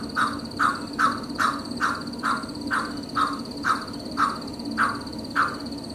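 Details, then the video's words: A male Pheasant Coucal, perched around 8 am in February–March in Townsville, Australia, gives a steady series of about a dozen hollow, low hoots, roughly two per second, over a constant high insect whine and low hum. "The Pheasant Coucal Different Calls"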